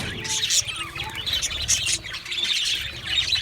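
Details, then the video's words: Budgies singing, high chirps and squeaky warbled notes in clustered bursts, several birds calling over one another with a faint low rumble beneath. "Budgie singing and chirping sounds | Australian Budgie sounds"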